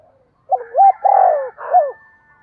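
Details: Spotted dove in giọng đồng style, used as a lure for wild giọng thổ doves, gives one hoarse coo phrase of a rolling start, a long drawn coo and a final note, over a faint steady tone.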